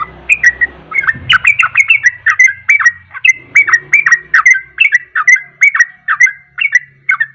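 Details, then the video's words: Sooty-headed bulbul delivering fast ropel song meant to provoke other birds to sing: a continuous run of bright, chirpy, down-slurred notes repeated several times per second, over a faint low rumble of background noise. "Ropelan Trucuk Ini Ampuh Untuk Pancingan Langsung Pada Ikut Ropel"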